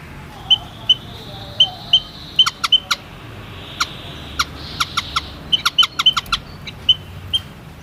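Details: Thin, high, piping notes of a white-headed munia, delivered in clusters with frequent sharp clicks between them and soft background hiss.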